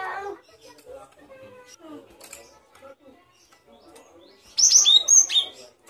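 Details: Great tit tutor recording for songbirds: a low mixed background of soft sounds, then several clear high whistled notes, some sliding sharply downward.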